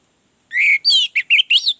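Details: Brief phrase of orange-headed thrush song, used to lure a reluctant bird into singing. A drawn-out whistle followed by several quick slurred, warbling notes.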